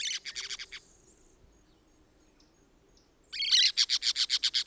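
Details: Costa Rican orange-chinned parakeet chatter: a fast run of buzzy high notes fading out, two seconds of near silence, then a louder harsh squawk leading into a rapid string of sharp chirps.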